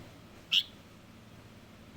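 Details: Young light-vented bulbul giving a single bright, clipped high chirp, followed by the start of another after a pause of about one and a half seconds, against a quiet low hum.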